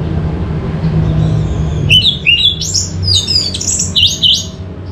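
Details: Orange-headed thrush (anis merah) song, meant to spur other birds into song: a quiet start, then a quick sequence of bright, clear whistled phrases that step up and down, lively and varied, over a soft low hum.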